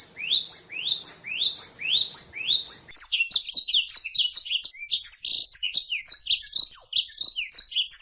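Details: Male and female white-eyes (pleci) give high rising upslurred notes in quick succession, breaking into a rapid jumbled twittering chatter of thin high notes that continues to the end.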